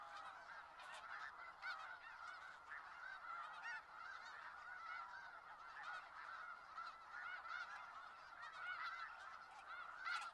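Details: Massed snow geese at Skagit Valley calling together, a constant wall of high nasal honks with short yelping notes bursting above the chorus every second or so.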